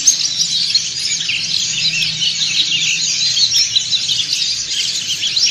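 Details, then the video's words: White-eye flock of dakun and montanus types in ngriwik chorus; tightly overlapping high, sweet chirps and trills, busy and continuous throughout. "PLECI DAKUN NGRIWIK BERJAMAAH"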